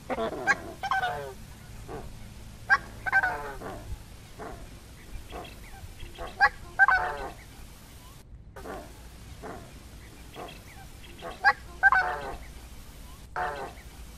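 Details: Coscoroba swan, Coscoroba coscoroba, uttering repeated nasal honks in paired bursts every two to three seconds, some trumpeting and harmonic-rich, over a steady low hum.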